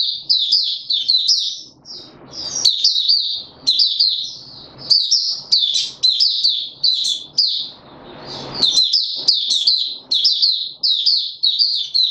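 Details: Caged white-eye worked up to form, opening song recorded 31 December 2021: long sustained sequence of high, sharp twittering phrases, each a cluster of fast slurred notes, repeated about every second with brief breaks.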